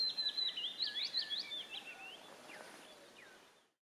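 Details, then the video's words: Spotted flycatcher uttering thin, high, squeaky chirps and short rising tsee notes in a quick run over the first second and a half, then a few fainter notes, against steady background hiss. "Muchołówka szara(Muscicapa strata)/Spotted flycatcher"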